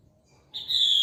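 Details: A female Chinese hwamei (Garrulax canorus), call used as a lure, gives one loud, sustained high whistle of about half a second, steady in pitch, after near silence.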